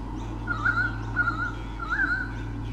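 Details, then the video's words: White-bellied sea eagle pair, male and female, at a nest camera in Sydney Olympic Park, Australia, defending their territory from swooping currawongs; three harsh honking call bouts, each about half a second, over a steady low hum. "WBSE 2013 - Defending their territory!"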